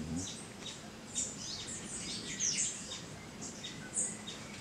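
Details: Saw-billed hermit (Ramphodon naevius), call.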